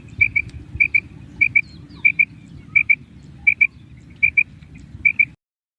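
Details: Female common quail, called kirak, calling to keep contact with companions: high, sharp paired notes, each pair given about every seven tenths of a second, eight pairs in all, over a low rumbling background hum.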